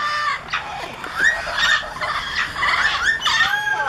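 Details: Excited pet Amazon parrots stirred up by a parrot sitting in a travel cage, giving a busy run of raspy squawks, chatter and short falling whistles, several birds overlapping at an irregular, rapid pace.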